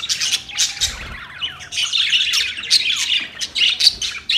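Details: Budgies talking to each other with dense, high-pitched chatter, scratchy warbles and a few clear descending whistled slides.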